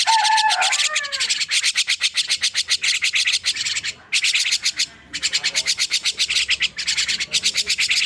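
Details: Young starling just woken up, giving rapid raspy buzzy notes at about eight per second in long bursts with short pauses, opening with a few low whistled slurs.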